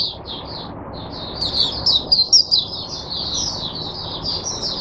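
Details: A caged oriental white-eye kept as a teacher bird for other white-eyes, 22 January 2022, delivers a high twittering song that starts with spaced chirps and runs into a continuous warbling stream, over low background hum.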